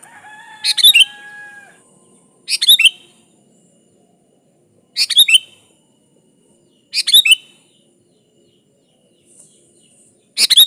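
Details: Vigorously singing sooty-headed bulbul, sound meant to call a rival: brief bubbly phrases of clipped rising and falling notes, repeated every two seconds, with a thin faint whistle from another bird at the start.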